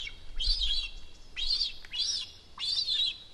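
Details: Food-begging ritual of a juvenile cinereous vulture at its nest in Sierra de Guadarrama National Park, Rascafría, after detecting an adult in the sky. Four drawn-out, rising-then-falling squealing notes over a quiet background.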